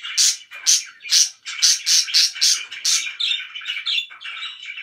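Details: Pet budgerigars, very loud: a run of about eight bright, sharp chirps roughly every half second, followed by softer chattering warble.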